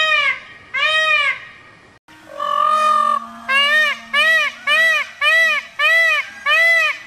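A peacock gives loud, nasal, arched wails, about eight in a row, each under a second long and coming quickly one after another.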